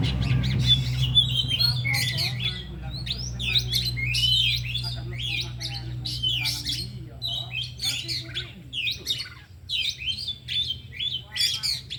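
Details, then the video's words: Afternoon training of four oriental magpie-robins, all singing and displaying learned phrases. Busy overlapping whistles and harsh squawky notes run throughout, over a steady low hum and brief speech. "Latihan Kacer di Sore Hari Biarpun Hanya Burung 4 Tapi Jalan Semua dan Bongkar Isian"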